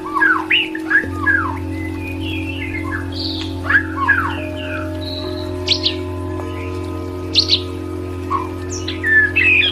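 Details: White-rumped shama song of varied clear whistles, slurred rising and falling notes in rapid sequences, over a steady electrical hum with tonal drone lines throughout.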